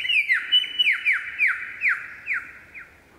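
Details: A superb lyrebird in Bartlett Olinda State Forest Reserve sings a quick run of about eight bright, downslurred whistles, two or three per second, growing softer toward the end.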